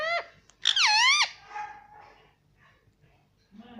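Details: Indoor pet parrot, described as saying "papa", gives one short note and then a loud, strained, wavering squawk that falls away into faint murmuring.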